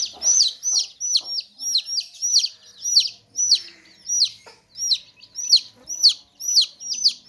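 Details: Loud, clear chick peeps from a basket of baby chicks, each a high, falling slur, repeated about twice a second in a steady rhythm.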